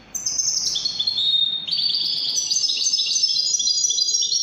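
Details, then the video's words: European goldfinch performing Moroccan Wydani song: a continuous high, liquid twittering of rapid stepped notes, first dropping then climbing again, with no pause. "الحسون الويداني الملك الذي يستحق استماع وتمتع في ادائه في التغاريد الويدانية المغربية"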